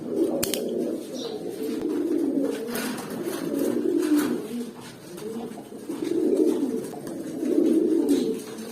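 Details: Young adult pigeons, eight to nine months old, kept indoors in a small room: repeated low, throaty rolling coos swell and fade in waves, with scattered sharp clicks and scuffing noises.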